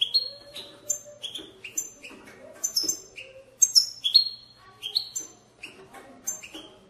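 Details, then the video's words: European goldfinch batbata for encouraging goldfinches to sing: dense, chattering twitters and sharp high chirps in rapid succession, some notes ringing and metallic, with a faint hum and light rustling behind. "أقوى بتبتة لتحفيز الحسون على التغريد"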